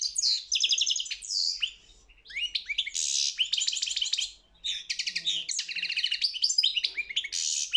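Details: Goldfinch entered in a world championship singing contest, pouring out nearly continuous bright twittering with repeated buzzy rattling trills and liquid chirps, broken by two brief pauses.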